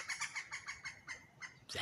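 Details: Woodpecker calling from a pine tree shared with two hawks in Ocala National Forest, a cackle-like call: a quick run of about ten evenly spaced, sharp notes, then a louder rushing sound at the end.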